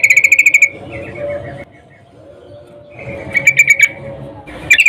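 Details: Female sooty-headed bulbul in breeding condition calling to a male: a fast rattled run of buzzy notes, then softer descending warbles, a quiet gap, and another rapid chattering burst rising again at the close.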